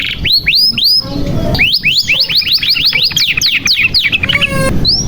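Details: Canary in steady song, used to stimulate young or silent canaries: a few rising whistles, then a rapid run of curved notes, a stuttering twittered section and a brief steady tone.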